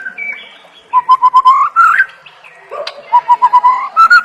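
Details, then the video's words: Two bursts of quick, evenly repeated whistled notes from a white-rumped shama, separated by a scratchy rising phrase and a pause, each burst climbing slightly in pitch. "Masteran Murai Batu Full Isian – Bikin Burung Gacor, Fighter, dan Mental Juara"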